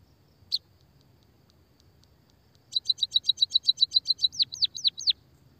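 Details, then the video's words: After a single chirp and a pause, a white-headed munia, used as a lure to make lazy birds sing, delivers a quick even series of high chirps ending in four falling swooped notes. "pancingan suara burung pipit emprit peking bondol kaji gacor kikikikikik...."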